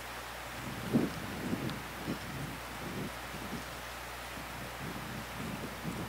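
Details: Rain-like patter and rustling over a low hum with a few soft knocks, without any animal voice.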